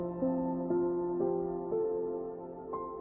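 Soft ambient music with sustained, gently shifting synthesizer tones and no animal voices.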